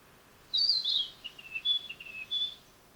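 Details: {'caption': 'Narcissus flycatcher singing: a loud whistled opening phrase followed by a run of shorter, clear, slightly dropping whistles and a final bright note, all high-pitched over quiet background hiss.'}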